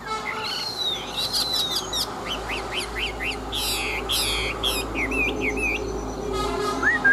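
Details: Large wild-caught adult Chinese hwamei, a caged fighting bird with a forest voice, singing varied loud phrases: a rising whistled sweep, then a run of quick repeated upslurred notes, buzzy rattling bursts and twisting whistles.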